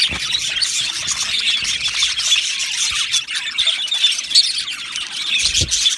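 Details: Budgie colony in an aviary on 12 July 2025: many budgerigars chattering together in a steady high-pitched wash of squeaks, chirps and short squawks, with a few faint low knocks.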